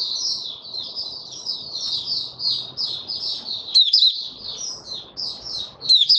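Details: Caged white-eye, called Mata Puteh, singing steadily to settle its form: a continuous high twittering warble of short slurred notes, repeated rapidly with brief sharper chips, low room hum beneath.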